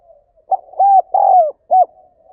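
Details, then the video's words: A single gáy gọi phrase of a spotted dove: short coo, rounded coo, long slowly descending coo and a brief closing note, mellow and low, over a faint background hum. "Tiếng Chim Cu Gáy Thúc Gáy Gọi"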